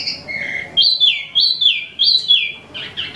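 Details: Caged Wambi mini, imported and called Tieu Mi, giving loud, ringing whistles that rise sharply then slide down, three strong notes spaced about half a second apart.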